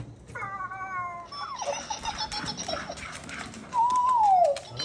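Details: Pet cockatoo singing indoors: a brief harmonic note, a few broken tones, then a clear sustained whistle that wavers and slides downward, with a person talking nearby.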